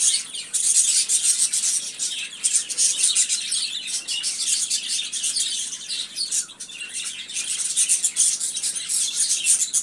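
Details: Budgerigars give almost ten seconds of unbroken chattering, sharp high chirps layered over a scratchy warble, with slight rises and falls in volume.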